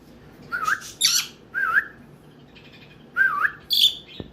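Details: A one-year-old male African ringneck (rose-ringed) parakeet, a pet kept indoors, chatters in wavy, warbling whistles and raspy bursts, about six short phrases in four seconds, while saying his first words, "Peekaboo" and "Gimme kisses".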